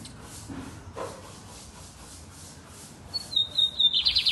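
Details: Lined seedeater from Brazil singing loud, the clip ending on thin whistled notes that step into a dense, buzzy pulsed burst, preceded by soft rustling and hiss.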